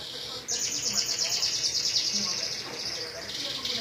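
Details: Canary imitating a Majalengka sunda whistling thrush, delivering a long, high, buzzy rapid trill that runs for about three seconds and then breaks into a fresh high phrase, against background hiss.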